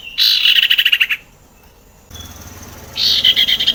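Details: Sirtu song played to coax quiet sirtu birds into singing: fast rattling trills of bright high notes, one burst, a pause with faint low hum, then a second matching trilled burst.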